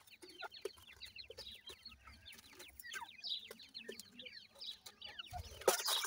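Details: Chicks of grey francolin (dakhni teetar) calling together near their parents: a continuous stream of short, high, falling peeps with a low hum beneath and a sharp bang near the end.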